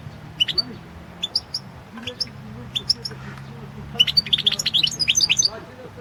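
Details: European goldfinch song recorded for the 2016 World Championship in Goldfinch Song: scattered sharp, high twittering notes, then a dense tinkling burst of rapid chirps from the fourth to fifth second, over a steady low hum.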